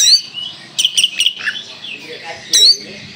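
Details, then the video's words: Oriental magpie-robin from Kalimantan singing in lively full-burst style: a high sweeping whistle, then a quick run of sharp chirps, a lower slurred note, and another bright upswept whistle near the end. "Kacer Kalimantan gacor full tembakan"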